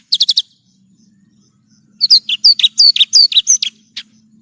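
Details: Branjangan, or Horsfield's bush lark, in a masteran tutor recording: a quick burst of high chips, a silence, then a lively series of varied whistled and slurred notes, about three per second.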